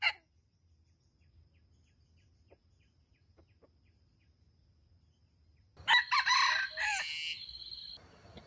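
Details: Decoy wild junglefowl luring wild birds toward a trap; a long quiet stretch, then a loud ragged crow in stuttering segments lasting about two seconds.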